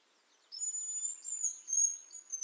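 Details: Hazel grouse from Lithuania: a thin, very high whistle held steady and then gently falling, followed by softer high notes and a brief trill-like flutter, with little else in the background.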